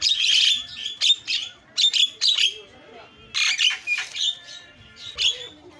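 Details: Lure call of Javan myna used to provoke other mynas into calling: loud grating screeches and rasping notes in uneven clusters, some long and buzzy, others short and clipped.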